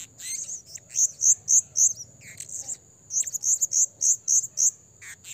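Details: Lure calling of a blue-crowned hanging parrot for trapping: a steady string of shrill, very high chirps spaced about a quarter-second apart, a brief break, then the series resumes over a faint high whine.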